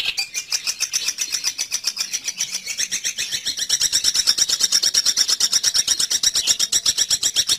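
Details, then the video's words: Long-tailed shrike call used to lure birds into traps: a rapid, regular stream of scratchy clicks, almost three per second, rising in loudness and pitch partway through. "pikat burung cendet ampuh satu menit langsung dapat"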